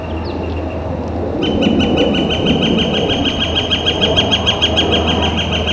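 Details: On a warm, clear spring day in April 2014, a Northern flicker starts a fast, repeated series of sharp notes after a brief faint chirp, continuing steadily at roughly three notes per second.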